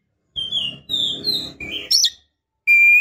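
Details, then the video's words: Female Oriental magpie-robin in breeding condition calls a male with drawn-out high whistles over a low buzzing hum, a scratchy burst, then one loud steady whistle. "Suara KACER BETINA GACOR Birahi Mantap Untuk Memancing KACER JANTAN Agar Mau Nyaut"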